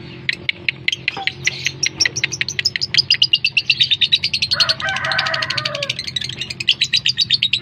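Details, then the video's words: Lovebird lure call for making lovebirds respond: a long, rapid run of sharp, high chirps repeated several times a second, with a rougher chattering passage near the middle. "Suara pancingan burung lovebird, dalam 30 detik lovebird anda pasti respon."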